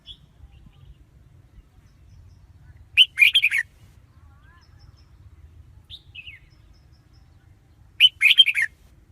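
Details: Red-whiskered bulbul lure song for trapping wild birds: two phrases of fast chirpy, warbling notes about five seconds apart, a few faint notes between, over a low background rumble.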